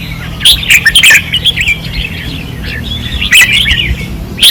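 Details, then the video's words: Fierce singing from caged red-whiskered bulbuls on a training rail, Pattani, 2024: short, lilting whistled phrases, a loud burst near the start and another near the end, a low droning hum beneath. "เสียงนกกรงหัวจุก ราวซ้อม ร้องอย่างดุเดือด"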